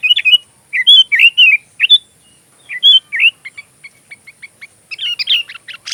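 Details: Sooty-headed bulbul singing energetically, recorded as filler song for training magpie-robins: repeated bouncy, slurred whistled phrases, then a run of short evenly spaced chips and a final warbling burst.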